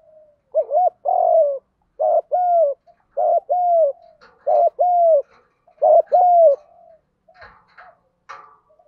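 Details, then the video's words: Spotted dove singing the continuous 'gù đấu' challenge coo used to lure wild doves; five quick paired phrases of a short clipped note plus a longer mellow coo, evenly spaced, ending in faint scuffling. "Chim cu gáy giọng đồng gù đấu liên tục dúp bổi ức chế rất cao"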